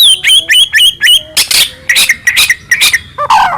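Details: Captive white-rumped shama of the Medan type singing nonstop, a full-fill song used as a lure to set other shamas singing: clear looping whistles, then harsh buzzy bursts repeated about twice a second, ending on a lower warble.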